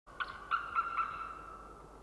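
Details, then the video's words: An unringed White-tailed eagle jumping and calling in the air at the Nova winter feeding ground, Estonia, 20 January 2013 at 09:56: four short yelping notes in under a second over a faint steady hum. "calling in the air"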